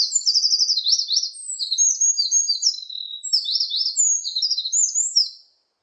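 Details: Eurasian wren delivering a vigorous burst of high song over about five and a half seconds, packed with rapid repeated trills, sharp twittering notes and brief whistled slurs, all run together before stopping suddenly in silence.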